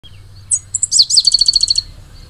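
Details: Pale-headed brushfinch, a critically endangered bird endemic to Ecuador, sings a high, thin phrase: a few sharp introductory notes, then a rapid, evenly spaced trill of bright chips lasting about a second, over faint low background hum.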